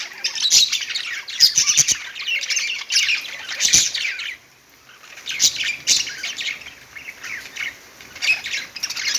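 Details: Pet budgerigars singing on a perch: about four seconds of lively chirping warble, then a quieter gap, then further bursts of squeaky chatter with a few sharp taps.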